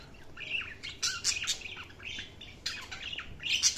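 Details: Budgies chattering with a busy, warbling mix of quick chirps, buzzy notes and short squeaks, continuous and uneven in rhythm.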